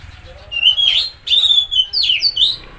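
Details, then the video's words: Oriental magpie-robin singing, a recording meant to stir a stressed or silent bird into song: bright whistled notes with upward slurs and sharp sweeps in quick succession. "Pancingan Suara Burung Kacer Macet/Stres"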